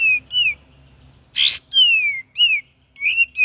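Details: Cream-vented bulbul, gacor song variation with ngeriwik chatter: clear whistled notes near the same pitch, some slurred downward, repeated in quick succession, broken by one loud rasping burst midway.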